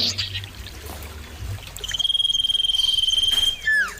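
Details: Common iora singing: after quiet rustling, one long, level, piercing whistle lasting about one and a half seconds ends in a sharp falling slur.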